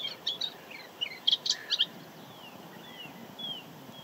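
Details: Male moustached warbler singing at the Jaroslavice Ponds bird area in spring 2022, on an evening or morning of rather unpleasant weather. High, sharp chattering notes come in quick clusters, followed by several drawn-out, slurred rising whistles over a low hiss.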